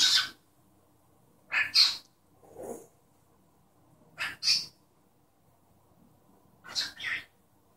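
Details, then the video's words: Pet cockatiel reproducing its owner's sneeze with repeated two-part hissing bursts, interspersed with a lower breathy sound, occurring about every two seconds over a faint room hum. "Calopsita falando e espirrando"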